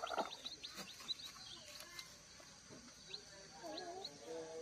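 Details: One-day-old kampung chicks fresh from hatching on a farm raising village chickens: bursts of thin, high, quick peeps from several chicks, pausing midway and then resuming, mixed with soft knocks and a low murmur.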